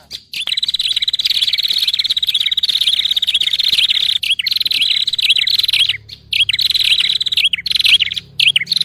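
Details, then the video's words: Prinia lure call used for trapping all prinia species: a fast, unbroken stream of high, buzzy chattering notes, breaking off briefly near the end, then resuming. "SUARA PIKAT SEMUA JENIS BURUNG PRENJAK"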